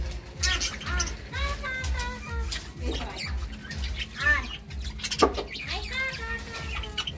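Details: Two budgerigars, a couple, warbling in a busy stream of short rising and falling harmonic notes and squeaks, over a pulsing low background hum.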